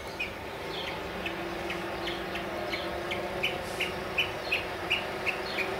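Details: From a tall mesquite in central Arizona, a male mockingbird keeps singing near a cardinal. Faint, fairly regular short chirps, roughly three per second, grow slightly louder toward the end over a droning rural background.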